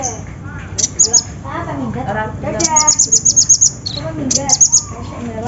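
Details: Lure recording of the olive-backed sunbird (konin) to prompt singing: bursts of high thin rapid trills, one run of about ten notes, mixed with lower warbled sweeping phrases.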